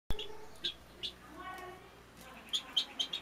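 Guineafowl giving sharp, high, clipped notes, two spaced singly, then a quick run of four or five; a brief voice-like sound in between.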